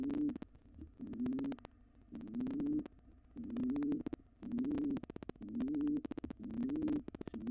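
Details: Wild pigeons in a barn owl nest box, an intruding pair trying to take over after the resident pair's nestling fledged. Low, soft rolling coos repeat about once a second, with scratchy clicks and scuffling between them.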